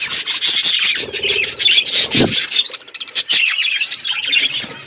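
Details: Loud, constant chattering of a budgerigar flock in an outdoor aviary: rapid scratchy chirps and warbles, with a brief thump of movement near the middle.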